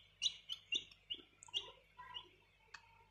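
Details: Two young domestic chicks being raised by a family, kept indoors; high thin peeps repeated roughly every half second, some sliding downward, with faint rustling and soft lower chirps between.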